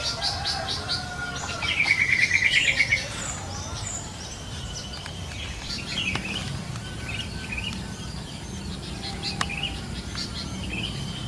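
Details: A rapid chattering burst of many short notes from a wild yellow-vented bulbul, lasting about a second, then a long stretch of distant chirps, clicks and outdoor noise.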